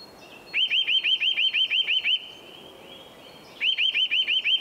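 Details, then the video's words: Wild Eurasian nuthatch singing during nest building, bouncing up and down tree trunks. Two bursts of fast, evenly repeated rising whistles, about nine notes then six, separated by a faint drawn-out whistle. Steady background hiss. "Eurasian Nuthatch - building nest, song/call, behaviour - Kleiber"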